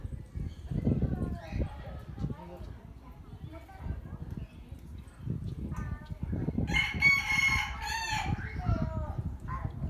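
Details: Peacock holding its fan spread for a long time while displaying, a bird said to open its feathers often; a loud, harsh, harmonic-rich call bursts out in the latter part over steady chatter from onlookers.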